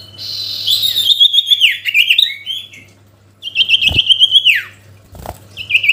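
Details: Singing sooty-headed bulbul calling a rival: long strings of high, bright whistled and warbled notes with descending slides, broken by pauses and a few low knocks.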